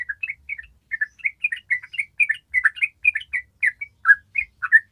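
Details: Yellow-vented bulbul, locally trucukan, in energetic ropel chattering song meant to prompt raw birds to sing: quick paired and tripled bubbly, slurred notes at a lively, uneven pace.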